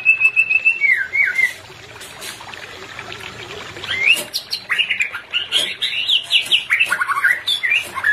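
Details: White-rumped shama pair in a bird-keeping therapy recording meant to bring non-breeding birds into condition: clear whistled phrases, slurred notes dipping and rising, then a busy burst of varied warbled notes, with scattered clicks and knocks.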